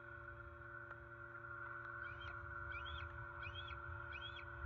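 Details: Six-month-old juvenile bald eagle perched in its nest tree by a pond in southwest Florida, October 4, 2020, calling out for breakfast: a run of high, arched, thin piping notes repeated about once a second over a steady low hum.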